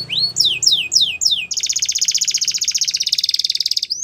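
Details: Belgian canary training song for young canaries, starting with falling whistled sweeps and moving into a long, fast, buzzy trill of evenly repeated notes.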